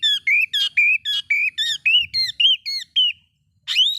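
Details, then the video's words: Provocative song of an oriental magpie-robin aimed at rousing others of its kind: a quick run of about a dozen repeated upslurred whistles, roughly two per second, then a pause and one loud rising note. "bikin Kacer Lain ikut emosi coba buktikan dengan suara ini"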